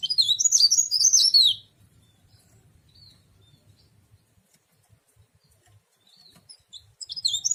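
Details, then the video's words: High, rapid twittering song of a cikrak daun (tralis) leaf warbler for the first second and a half, then near silence with a few faint notes before a fresh burst starts at the end. "Burung cikrak daun atau burung tralis"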